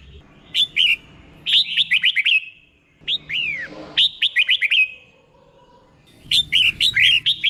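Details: Red-whiskered bulbul singing the drawn-out 'berl' song used to train caged bulbuls: short bursts of sharp falling whistles alternating with silences, four phrases in a little over seven seconds.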